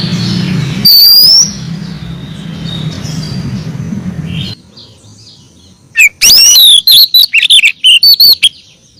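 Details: Female oriental magpie-robin calling to a male: a single rising whistle, then after a pause a quick run of loud, varied whistled and chattering notes over low background hum.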